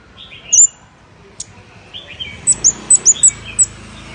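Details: Scarlet-backed flowerpecker giving its lure call: one piercing high chirp, soft lower twitters, then a quick string of six sharp, very high ticking notes against a faint background hiss.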